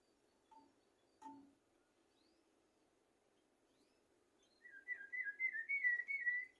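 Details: Tutor recording of a common blackbird for goldfinches and canaries: after a few faint scattered chips, a rapid, pulsing warbled phrase starts and continues for about two seconds. The surroundings are otherwise quiet.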